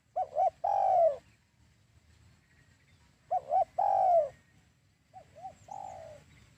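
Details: Spotted dove lure call for trapping doves: three phrases, each two short clipped coos followed by a long, drawn, gently falling coo, repeated about every two and a half seconds, the last phrase softer, over a faint low rumble.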